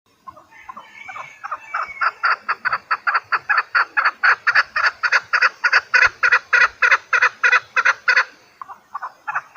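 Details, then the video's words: Chukar partridge calling, from a recording meant for partridge hunting: a rapid run of harsh clucking chuk notes, about three per second, that starts soft and builds into loud, evenly spaced bursts, with quiet background. "Овози кабк кеклик калик пение каклик мастак модкабк шикор"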